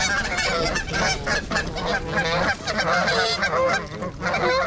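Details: Trumpeter swans in winter, a flock of 42 (26 adults and 16 juveniles) filmed on January 8th at Gallup Park, Ann Arbor, Michigan, on a GoPro; dense overlapping honking calls from many birds, continuous and loud throughout.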